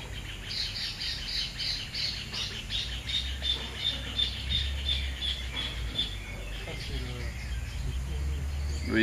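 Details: A Double-collared seedeater (Sporophila c. caerulescens) near a feeder at Pousada Cambara, Chapada dos Guimarães, Brazil, on 21 September 2013 gives rapid, high chattering notes, about three a second, over low wind or traffic rumble and faint voices.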